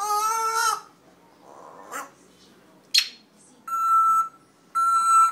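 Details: Red-tailed African grey parrot making a rich harmonic wail, a few sharp clicks, then two steady, level whistled notes with bright overtones.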